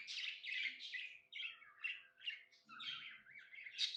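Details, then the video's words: Cheerful pet budgerigar giving a string of short, scratchy chirps and buzzy warbled notes, about one every half second, with a faint low rustle near the end. "Happy budgie chirping sounds"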